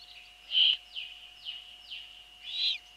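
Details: Eurasian eagle-owl at the nest on 28 April 2013 at 21:12, as the female brings a bird and feeds the young: harsh hissing bursts with quick downward-sliding rasps between them, over a steady electrical hum.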